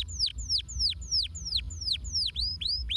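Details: Canary repeating one bright, curved downslurred whistle roughly every third of a second, a steady rhythmic tour, with faint low hum behind it.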